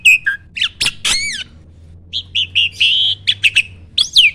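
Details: Starling voice from a training recording meant to make other birds sing: scattered squawky notes, a pair of loud rasping bursts, then short flat whistles and a final sharp rising note, with gaps between.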